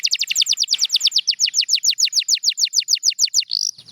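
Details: Canary song, presented for enjoyment and for training other birds: a fast run of bright, downward-sweeping whistled notes, about seven per second, ending in one rising, slurred note and a short pause.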